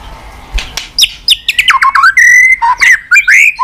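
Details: White-rumped shama singing to stimulate a listless shama. Quick whistled slurs tumble downward, then a long steady buzzy whistle is held, and warbled twisting notes close the phrase.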